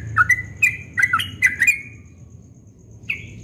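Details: Yellow-vented bulbul in dawn song: a brief burst of five or six quick liquid whistled notes, then a pause and one more whistle at the end.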